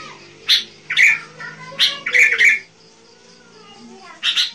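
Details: A sooty-headed bulbul in full song, used as a lure for wild bulbuls, giving five short, bubbly, chirping phrases at an uneven pace over four seconds, mid-to-high pitched, over a faint low hum.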